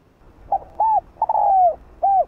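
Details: Full decoy song of a spotted dove meant to excite rival doves. One phrase of hollow coos: a quick first note, a rounded coo, a long sliding downward coo, and a closing coo.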